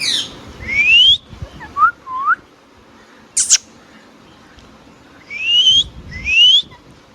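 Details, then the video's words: Indian ringneck parakeet, a pet bird, giving clear rising whistles in pairs, each sweeping steadily upward, with a couple of short looping chirps and a brief harsh burst between the pairs. "Beautiful Ringneck Parrot Talking | Natural Talking & Chirping Sounds"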